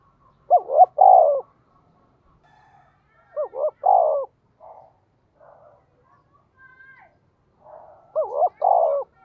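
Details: Spotted dove 'tiếng thúc' calls in the deep 'giọng thổ' voice, played to lure wild birds: three coo phrases about three and a half seconds apart, with faint soft chirps and murmurs between them.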